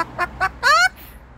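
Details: Pet Moluccan cockatoo at home on a patio, mimicking a chicken's bok. Two short harmonic clucks, then a longer loud note that rises and falls, followed by a faint high squeak.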